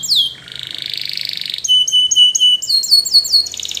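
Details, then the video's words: Spanish Timbrado canary sings for training: a falling sweep into a buzzy rolling trill, then steady whistled notes broken by quick upward flicks, ending in a rapid pulsed trill. "SPANISH TIMBRADO Canaries Invites All Canaries to Sing!! Canary training"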